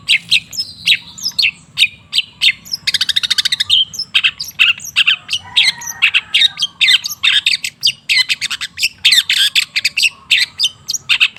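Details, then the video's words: Long-tailed shrike lure song for reviving silent shrikes: a busy, varied stream of harsh squawks, sharp chips and a fast buzzy rattle, notes tumbling without pause over a steady low hum. "Suara TERAPI pancingan cendet macet supaya rajin bunyi..!!!"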